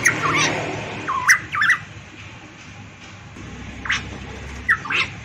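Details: Variable pitohui of Papua singing: a burst of looping whistled notes, a quiet pause, then more curving whistles near the end, with ticking clicks and low background hum.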